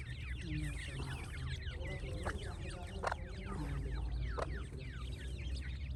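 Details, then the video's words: Francolin chicks keep up a busy twittering of high slurred peeps, broken by a few sharp clicks and faint lower sounds. "تیتر کے بچے اور مست آواز"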